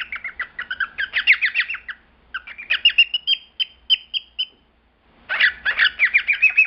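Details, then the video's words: Male cockatiel kept as a pet sings in bursts of quick warbling, squeaky whistled notes, broken by two short silences; loud, rapid phrases in a quiet small room. "типичное поведение для мальчиков, то, как они себя ведут, как поют"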